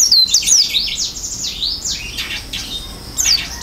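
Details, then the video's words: Oriental white-eye singing vigorously in the filled-in isian style with its beak open: rapid high thin whistles and chirps, many sliding up and down, tumbling in quick succession with short breaks. "pleci gacor isian buka paruh"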